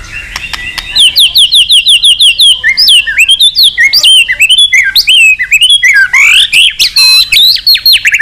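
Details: White-rumped shama singing hard in contest style, used to stir weaker birds into song: a long, rich, high whistled phrase of rapid repeated notes, swooping and varied, continuous and loud.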